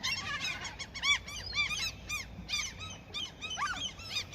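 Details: Flock of seagulls fed to keep them from attacking a fisherman calls in a steady jumble of short, downward-curving squeals, many birds overlapping throughout.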